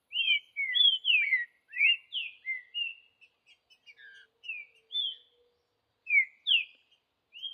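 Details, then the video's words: Wild green-winged saltator in the bush gives a run of loud, sweet whistles that slide down or arch up, grouped into quick phrases separated by brief silences. "Trinca ferro Vidigal no mato"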